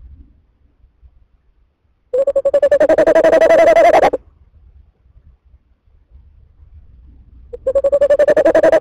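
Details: Tawny owl calling while looking in, recorded in January: two bursts of fast, even, mid-pitched pulsed trilling, each about two seconds long, separated by quiet with faint low background rumble.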